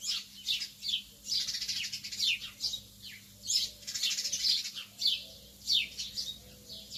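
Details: Lovebirds in the early morning burst into clusters of squeaky, high-pitched chattering, separated by brief lulls. A low hum runs in the background.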